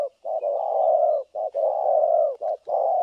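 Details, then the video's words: Spotted dove, a trapping decoy, giving continuous thổ cấn sấm nước coos: long, deep, steady notes broken by brief short ones, the phrases running together almost without pause. "Bẩy cu gáy 590 | Thổ cấn Sấm nước gù liền"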